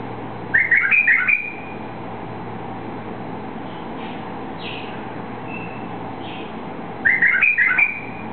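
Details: Released white-eared bulbul, native to eastern Saudi Arabia, sings two short bubbly whistled phrases about six seconds apart, each a rapid cluster of liquid notes, with faint distant chirps between and a constant low hum throughout.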